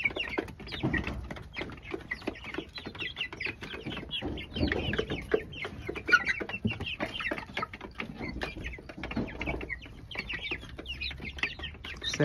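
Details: A flock of about 30 young chickens kept at home, including caged chicks, makes a steady, overlapping chatter of soft peeps and clucks with no single caller standing out. The noise is described as minimal.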